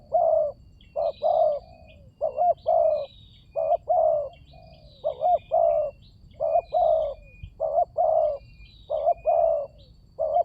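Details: Lure sound of a spotted dove meant to set silent doves calling: long series of husky low coos in short-long groups, about one per second, with faint high twittering of other birds throughout.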